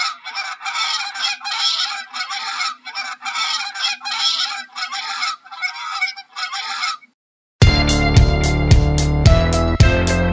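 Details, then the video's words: Goose honks in rapid harsh bursts for about seven seconds, then a short silence before loud rhythmic music takes over to the end. "How does a Goose sounds"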